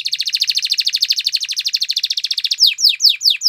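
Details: Canary singing Timbrado training song: a very fast rolling trill for about two and a half seconds, slowing into separate loud downslurred whistles.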